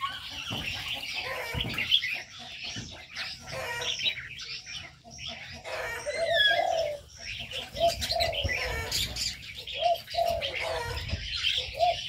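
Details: Many aviary birds sounding together: bubbling low coos, some with a rising lilt, alternating with bright high chirps and whistled twitters, plus occasional wing flutters throughout.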